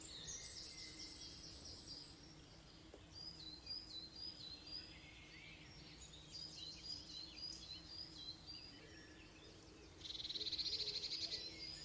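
A robin sings high, thin, varied warbling phrases with short pauses between them. Near the end comes a dense, buzzy trill over a soft background hum.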